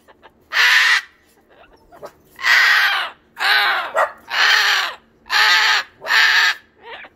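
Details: Cockatoo in a screaming fit, said to be waking the neighbours: six raspy, full-throated screeches, each about half a second long, repeated roughly every second with short gaps.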